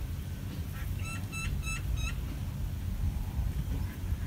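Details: A bulbul, as parent birds rescue their chicks from an ant attack, gives four short, bright, harmonic notes about a third of a second apart, over steady low rumbling wind or handling noise.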